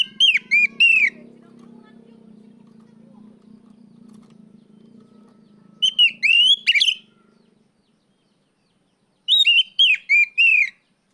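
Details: Oriental magpie-robin calling out a rival: three separate bursts of four or five rapid, loud whistled phrases, spaced several seconds apart, with a low hum early on and near silence later.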